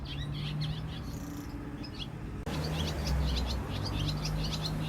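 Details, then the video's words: Swallows twittering in quick, high chirps, several each second in loose bursts, over a steady low rumble, in Jeongseon-eup, Gangwon-do, South Korea. "지저귀는 제비 소리"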